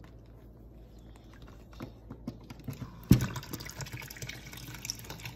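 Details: Quiet room tone, then a sharp knock followed by scattered clicks, taps and watery rattling, with no animal calls.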